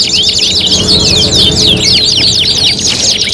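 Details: Canary contest tutoring song, five materials combined in one for hanging-cage competition training: dense, fast trills and sweeping chirps high in pitch, several overlapping strands, with faint low background hum.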